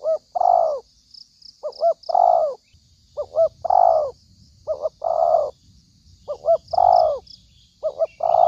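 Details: Spotted dove calling as a trapping lure: about six repeated low phrases, each a pair of quick notes then a long drawn coo, steady every one to one and a half seconds, faint high chirps behind.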